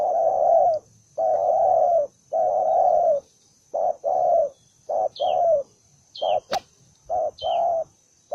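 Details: A single spotted dove, newly caught and said to be fiercely combative, calls loud rough coos, long at first then in quicker short-long pairs, with high thin chirps and a click in the background.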